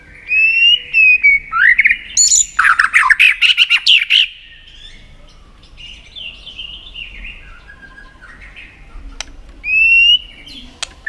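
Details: White-rumped shama singing in many voices to stimulate contest singing. A dense rush of whistles, rising slurs and fast trilled notes, then quieter soft warbling, a single click, and a final bright whistle.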